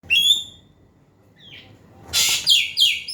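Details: Asian pied starling singing loudly, used as a lure to get a quiet bird to sing: a clear whistled note with harmonics, then a loud harsh burst followed by repeated descending whistled slurs.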